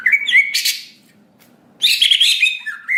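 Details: Greater green leafbird lure song meant to trigger a fast emotional response: a whistled phrase and a harsh rasping burst, a short pause, then a dense chattering and whistled outburst ending in a falling note.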